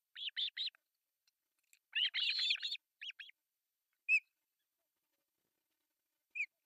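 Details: Three osprey chicks at a nest in Pohjois Satakunta, Finland, during breakfast feeding on July 1, 2024: clusters of high, squeaky, chittering calls, a dense burst in the middle, then single thin whistled notes.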